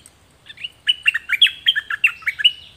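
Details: Dok Taeng birds singing in a 2020 recording made for training young birds: a lively, steady chain of about ten bright chirped notes, some rising and some falling.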